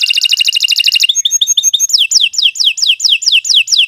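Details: Canary master song for tutoring beginner songbirds: a very fast trill, a short run of clipped chirps, then evenly spaced loud whistles sweeping sharply downward, about three each second.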